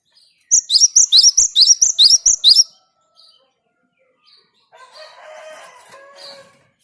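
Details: Java sparrow song played to get other birds singing: a quick series of about nine shrill, high chirps, silence, then a lower, scratchy warbling call from another bird.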